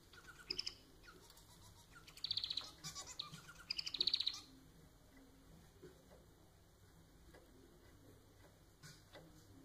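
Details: A caged society finch sings short bursts of rapid, high buzzy trills, three phrases about two seconds apart, followed by several seconds of quiet room hiss with scattered faint ticks.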